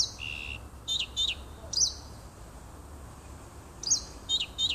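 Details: Nightingale singing near a house in woodland, 30 June 2015: a held mid-high tone, then sparse paired chirps with a long quiet gap before chirping resumes.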